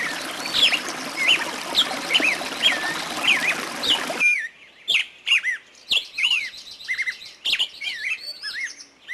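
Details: Birds in a forest: a dense chorus of chirps over noisy background for four seconds, then clearer separate whistles, trills and sharp clicks in quieter air.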